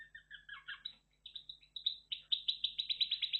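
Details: A red factor Belgian canary sings a bright, high twittering song, shifting from quick warbled phrases into a rapid series of sharp repeated chips.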